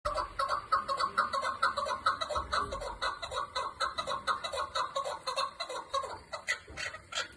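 A chukar gives harsh, clucking chuck notes about twice a second, quickening and overlapping toward the end, over faint background rustle.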